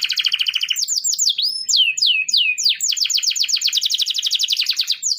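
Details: Canary training song: pulsed trill, a handful of swooping whistled notes, then a long even rattle of rapidly repeated notes, clean with little background.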